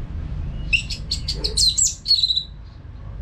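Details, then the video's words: Caged orange-headed thrush singing nonstop, used as a training sound for other caged birds: a short burst of bright, clipped whistled notes in quick succession over a low background hum. "ANIS MERAH GACOR TIADA HENTI TANPA NGETEM"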